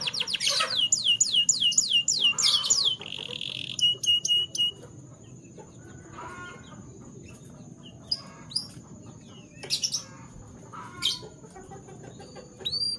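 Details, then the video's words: Canaries singing in the morning: a fast run of about a dozen descending whistled sweeps in three seconds, then a short buzzy trill, then scattered high chirps and brief notes separated by pauses, over a steady faint high tone. "The Sweet Sound of Canary Birds - Canary Song"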